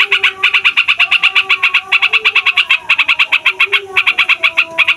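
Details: Long rolling song of a rowdy fighter yellow-vented bulbul, used as a lure for wild birds: dense chattering runs of sharp notes with brief gaps every second or so, over faint low whistled tones.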